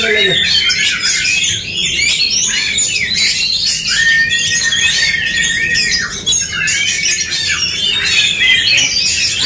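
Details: Oriental magpie-robins in a fighting duel meant to stir up aggression in contest birds, loud, dense, harsh squawking song with rapid chattering notes and sharp whistles overlapping almost without pause, one long steady high whistle midway.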